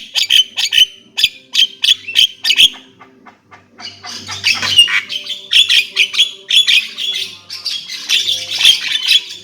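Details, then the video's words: Javan myna song opening with evenly spaced harsh squawks, then a pause, then a long dense stretch of scratchy chattering and buzzy notes. "Kicau jalak kebo"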